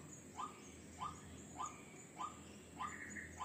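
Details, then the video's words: White-breasted waterhen calling, recording used as a lure for wild birds; short rising notes repeated about every 0.6 seconds over a steady background hiss. "Suara Pikat Ruak Ruak Ampuh"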